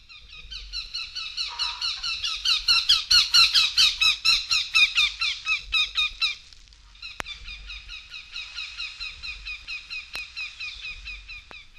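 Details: Northern goshawk from a 1961 eastern/central North American bird-song guide gives a loud, harsh, cackling series of notes at about two per second, followed by a second, quieter run of the same notes.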